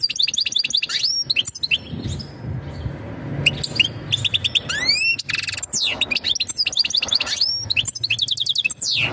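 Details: Mating song of a European goldfinch, given to ready the female for breeding: dense, fast, high-pitched twitter of chirps, rising slurred whistles and rattling trills, with a faint low hum beneath.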